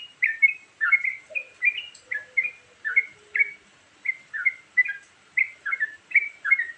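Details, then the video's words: Sooty-headed bulbul singing a varied lure song. Bubbly, slurred notes repeat steadily over a faint hiss, and a soft, low, sliding whistle fades in the first half. "Suara Burung Trucukan Isian Variasi"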